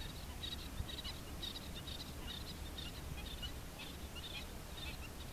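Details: Little tern (Sterna albifrons), a pair at the nest, giving short, high, sharp chirping calls in quick bursts about every half second, partly masked by steady low wind rumble.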